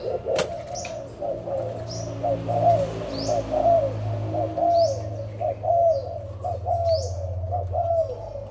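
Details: Several adult spotted doves from Malaysia and Thailand, recorded on 16 March 2022, coo in soft rounded notes, loosely spaced and often overlapping, beneath high sparrow-like chirps and a constant low drone, with a sharp click at the start.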